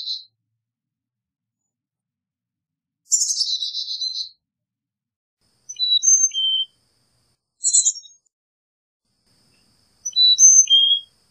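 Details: Carolina chickadee mixing a buzzy descending call with whistled four-note songs and short high chips.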